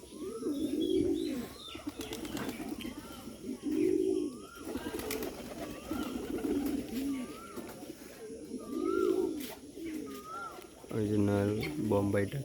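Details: Domestic Bombay pigeons kept in a loft coo in deep, throaty bursts as they are about to be released, while music plays in the background.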